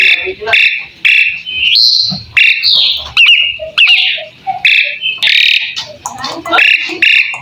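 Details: Asian pied starling (jalak suren) in full song: a varied, loud run of harsh chattering, squeaky whistles, rattles and nasal mimic-like phrases, delivered in bursts with brief gaps.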